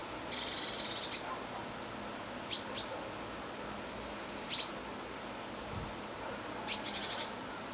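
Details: Great tit giving quick, high, chattering calls while checking the coast is clear before flying down to a bird table, calling to another Great Tit just out of view: rapid opening run, sharp single notes, then a short ticking burst.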